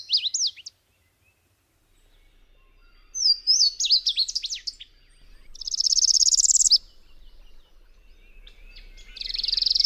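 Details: Subalpine warbler singing: brief high scratchy notes, then a tumbling warble of sliding whistles and a dense buzzy rattle about a second long. A second rattling phrase starts near the end. A faint low hum runs underneath.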